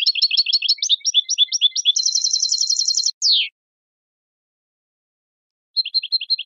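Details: European goldfinch recorded for training contest singers: quick liquid twittering notes, then a buzzy trill, a downward slurred note, a pause of silence, and a short resumed series of chirps.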